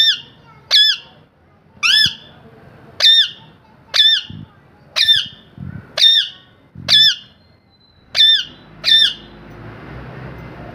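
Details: A parrot repeats a short, harsh, arched squawk about ten times at an uneven pace, roughly one each second. Faint low rumbling runs between the calls.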